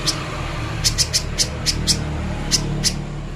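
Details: Clear recording of a little spiderhunter used for training: scattered, piercing high chips, single or in pairs, spaced irregularly over low background rumble.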